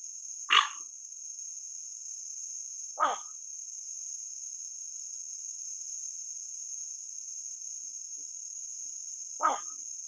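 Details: Dark-morph Pacific reef heron (Egretta sacra) giving three brief, harsh, croaking calls at uneven gaps over ten seconds, over a steady high-pitched insect drone.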